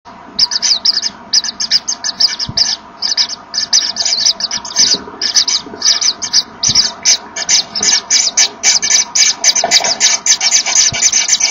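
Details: Common Kingfisher pair inside the nest on 24 August 2013 at 14:01; the male makes room for the female bringing a small fish, and they blow at each other, apparently to locate one another. Rapid hissy, breathy bursts run almost continuously, several per second.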